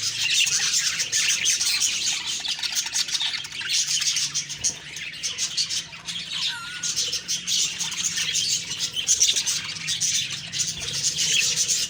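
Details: Budgerigars chirping in the morning, October 2, 2023: a long, unbroken flock chatter of fast high twitters and scratchy notes, briefly dipping around the middle.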